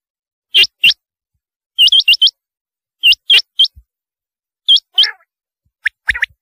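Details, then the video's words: Rain quail calls: clipped high upward-flicking notes in pairs and short bursts of three or four, spaced about a second apart, with a buzzier note near the end and otherwise silence. "Chinga Batair ki awaz"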